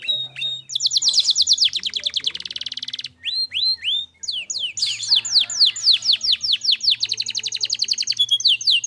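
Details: Clear, energetic canary song for teaching and prompting other birds: a rapid chattering trill, a few swept whistles, then a long fast series of sharp slurred notes, nearly continuous throughout, with faint hum below.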